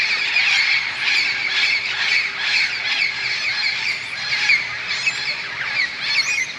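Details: Wild parrots massing in giant bamboo plants near a golf course in Moka, Trinidad, in the evening before nightfall: a raucous flock chorus of rasping, chattering squawks, continuous and loud throughout.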